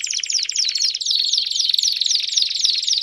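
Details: Several canaries in full song, used to stimulate a Belgian canary: thick, continuous high warbling with repeated descending slurred notes every few tenths of a second.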